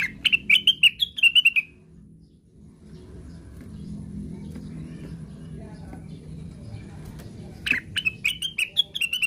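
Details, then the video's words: Cucak wilis songbird sleep-singing (ngigau): a rapid run of clear, rising whistled notes for about a second and a half, a quiet pause with low murmuring background, then the same bright phrase again. "KICAUANYA KLASIK....BURUNGNYA NYENTRIK...CUCAKWILIS SEDANG NGIGAU"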